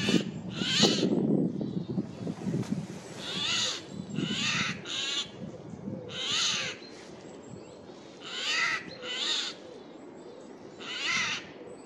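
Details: Eurasian jay heard loudly in a forest on 15 April 2024 as it flew from tree to tree; a long run of rasping, grating screeches, often in pairs, with rustling at the start.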